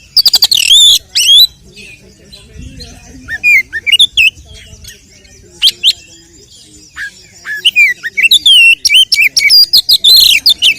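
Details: Oriental magpie-robin in fighting song, used to provoke other males: energetic mix of fast trills, squeaky slurred whistles and chattering bursts, growing denser toward the end, with faint low noise.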